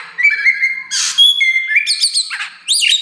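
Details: Oriental magpie-robin, the black Kacer wulung form, kept caged: a long steady whistle, a harsh noisy burst, then a pure high note and a quick run of chirped, rising-falling whistles.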